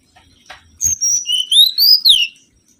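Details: Lure recording of a mangrove whistler singing. A short opening note leads into a phrase of clear whistles that slide upward, then end in a quick downward slur. The background is quiet.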